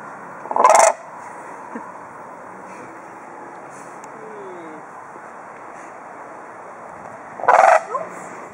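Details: Captive bird at Edinburgh Zoo, aggressive and noisy with a shattered beak, utters two short grating screeches about seven seconds apart, separated by quiet hum and a few soft ticks.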